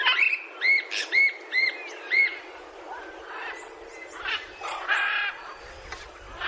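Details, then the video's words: Macaws calling: a run of five arched, harmonic squawks about half a second apart, then scattered harsher, broadband calls and softer chatter. "som das araras"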